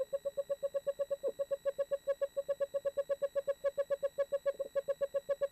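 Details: One of a pair of Eastern screech-owls (Megascops asio) preparing for spring nesting in 2013 gives a long, even trill of hollow, tremulous hoots, about four to six notes a second, all at one pitch.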